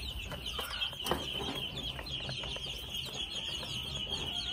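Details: Two-month-old red junglefowl chicks give a steady stream of high, thin peeps, many overlapping in a dense chorus, with a few soft clucks and scuffling sounds.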